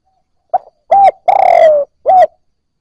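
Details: One spotted dove phrase, played to stimulate newly caught birds: a short low note, a clean coo, a long pulsing coo gliding downward, and a crisp closing coo, with no other sounds.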